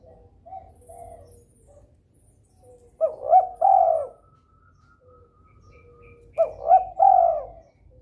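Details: Spotted dove, amorous and calling often to get rivals calling too: quiet soft coos, then two strong phrases about three seconds apart, each a clipped rising double note and a hoarse, descending drawn-out coo.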